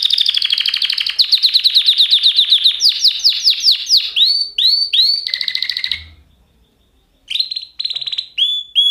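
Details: Canary song: a long series of rapid pulsed trills, slowly rising in pitch, then looping downslurred whistles and a buzzy roll, a short gap, and more trills and swooping notes after it.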